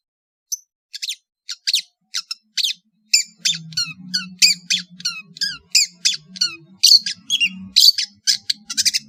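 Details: Varied song of a long-tailed shrike from Madura: sparse sharp chips that build into a quick run of downslurred whistles and harsh squawky notes, with a low hum behind.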